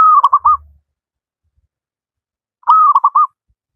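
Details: Wild local zebra dove singing vigorously, used as a master song to teach lazy doves to sing: two phrases, each a slightly falling cooing note followed by three or four quick staccato coos, separated by about two seconds of silence.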